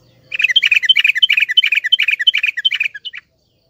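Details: Yellow-vented bulbul (Pycnonotus goiavier) song used as a lure to get a silent bulbul to sing: a fast, bubbly chatter of bright, mid-high notes for about three seconds, then an abrupt stop.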